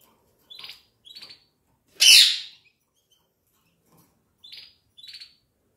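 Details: A pet canary indoors gives short buzzy chirps in spaced pairs, then one loud harsh rasping burst, then two more brief chirps after a pause, with silence in between.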